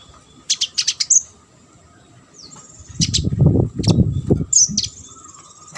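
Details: Olive-backed sunbird song meant to teach competition birds: a short burst of high, sharp chips and a slurred note, then scattered high notes over loud low rumbling background noise.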